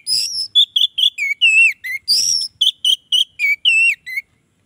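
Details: Orange-headed thrush singing to draw in rivals of its kind: a fast, varied series of ringing whistles and slurred phrases, some high and piercing, others dropping lower, with short gaps between.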